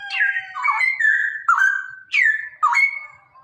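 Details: A male Straw-headed Bulbul in full continuous song, used to stimulate other males, pours out loud, rich, liquid whistles, slurring down and up in quick gurgling phrases with barely a pause between them.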